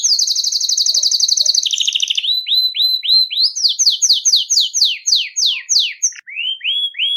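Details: Belgian canary singing its nonstop bell-like song, used to warm up adult birds and train young ones: a rapid buzzing trill, then a lower trill, then a long series of high, rising-and-falling whistled notes, each repeated several times per second.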